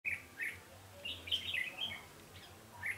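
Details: Red-whiskered bulbul recorded during trapping on 20 November 2015: short, bright warbled phrases that rise and fall, separated by pauses, with a low steady hum underneath.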